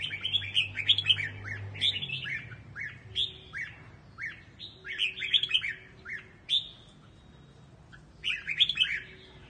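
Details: Red-whiskered bulbul song used as a voice-training recording in the Quang Tri regional style: short, bright phrases of quick whistled and warbled notes, repeated every second or so, over a faint low hum.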